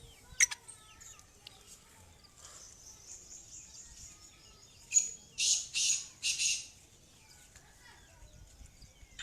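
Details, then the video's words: Female black francolin (kali madi) giving a short run of four rasping, high bursts about half a second apart midway through a quiet stretch with faint scattered chirps. "Madia Kala Teetar Kali Madi Ki Awaz | black francolin female voice | کالی مادی کی آواز"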